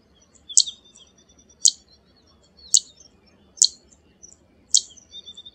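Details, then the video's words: Zitting cisticola calling: five sharp, high, clicking zit notes, each very short, spaced about one second apart over a quiet background. "Zitting Cisticola call"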